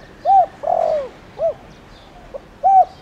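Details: Spotted dove kept as a lure bird to make wild doves call, 'thổ đồng' voice; an arched coo, a long falling coo and a clipped note, then a faint pip and another arched coo opening the next phrase.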